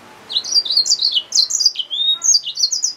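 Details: Yellow-fronted canary mule, a hybrid finch, sings a varied, high-pitched phrase of chirpy, twisting notes. A brief slurred whistle sits in the middle, and the notes keep running for nearly three seconds.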